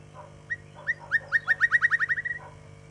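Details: White-rumped shama singing in the 'giọng dây' style: a rapid series of about a dozen clear, slurred notes, accelerating and evenly repeated, ending in a brief buzzy trill, over a low steady hum.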